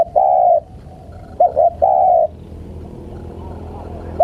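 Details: Spotted dove calling to lure wild birds: deep, hollow coos with a short double note between two longer drawn-out notes, then quiet background.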